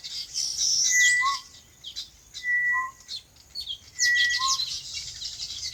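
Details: Three whistled phrases, each a level high note dropping to a short lower slur, repeat about every one and a half seconds among high twittering birds on a farm.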